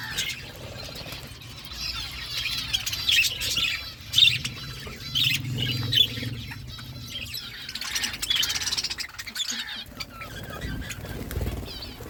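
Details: Feeding flock of budgerigars: scratchy warbles, chirps and occasional squawks rise and fall throughout, loudest around four to six seconds and again near nine, with soft flutters and a low hum behind them.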